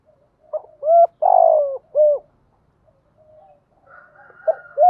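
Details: Spotted dove challenge call meant to draw wild doves in to fight: a short lead-in, a long rough falling coo, and a clipped closing coo, then quiet before the next phrase begins.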